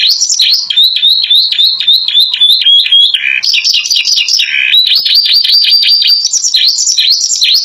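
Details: Canary song filled with learned imitations of bar-winged prinia and Java sparrow, loud and bursting. A bright chain of quick rising whistled notes gives way to churring trills, then further fast whistled runs, all high and continuous.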